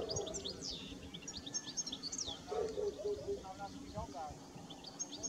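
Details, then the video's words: European goldfinches feeding on alder seeds in winter: a quick burst of high, thin twittering chirps and short trills over the first two and a half seconds, then lower wavering tonal notes, one more high chirp at the end, steady background hiss. "Goldfinches eating singing / Putters eten en zingen (Carduelis carduelis)"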